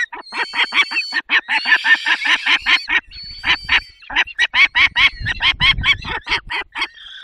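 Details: Peregrine falcon feeding, Poland's Barycz Valley, 20 May 2021, 10:22: quick rasping call notes, with a brief drawn-out scream early on and a pause near three seconds. Low rumbling can be heard in the second half.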